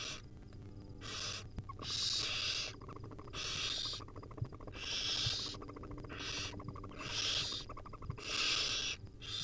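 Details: Hungry wild barn owl nestlings begging while their mother feeds them tiny bits at the nest: harsh, hissing screeches of about half a second to a second, repeated roughly every one to two seconds, over a low steady hum.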